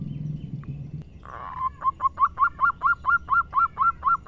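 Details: Zebra dove, a local Indonesian perkutut, singing: after a second of low rumbling noise, a series of short, hollow, evenly spaced cooing notes begins, growing louder and steadier, about two per second.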